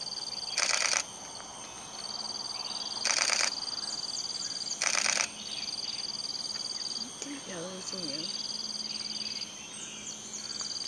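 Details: Blyth's frogmouth in tropical forest; three loud, harsh rasping bursts, about two seconds apart, over a steady high insect drone, with a few low wavering notes near the end.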